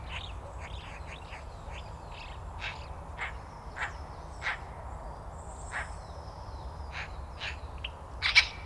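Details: Eurasian magpie (Pica pica), garden bird: short, harsh, clipped chuckling notes at an uneven pace with a louder squeal near the end, over a low background rumble.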